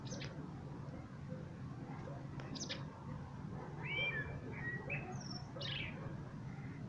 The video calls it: Пение чёрного дрозда